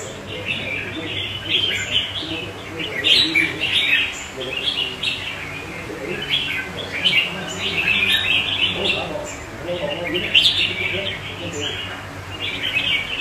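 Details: Red-whiskered bulbul kept in a cage, singing among nearby caged birds; a long series of bright warbled chirps and whistled bursts in uneven groups, with a faint murmur behind.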